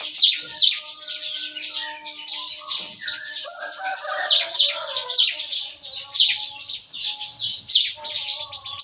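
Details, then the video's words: Bar-winged prinias in a breeding aviary cage, singing their lively morning 'shooting' song: around four sharp, high chirps a second in an irregular rapid stream, with brief lower twittering mid-way. "Nembak-nembak! Kicauan CiKris Pagi Hari"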